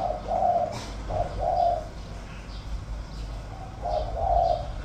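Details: Spotted dove, a caged decoy bird with 'giọng thổ' voice, gives soft, hollow coos in short groups of two, a brief pause, then another pair, over faint background hum.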